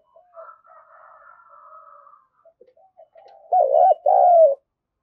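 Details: Spotted dove cooing to spur a decoy into calling quickly. Faint, distant coos drift in first, then a close bird gives a rolling coo and a long falling coo.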